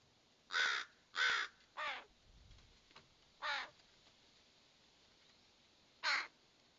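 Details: Fledgling ravens giving harsh, hoarse, broadband caws: three in quick succession, a fourth about two seconds later, then a last one after a pause. Short, raspy bursts with a quiet background.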